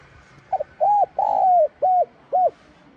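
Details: Spotted dove in 'giọng son' voice giving a calling and urging coo: one phrase of five rounded, hollow coos, a short double note opening, then a long, slightly falling coo in the middle and two clipped notes closing, over faint hiss.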